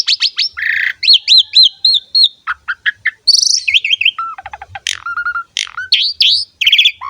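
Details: Asian pied starling song used as a lure for other starlings: rapid, varied phrases of looping whistles, squeaks, short chips and level whistled notes, delivered almost without pause.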